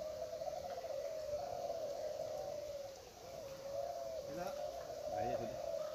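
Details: Spotted doves in a klantan singing contest at Gunung Kembar, East Lombok, in 2021: continuous overlapping soft cooing from many birds, a brief dip midway, and a few chirps and distant voices near the end.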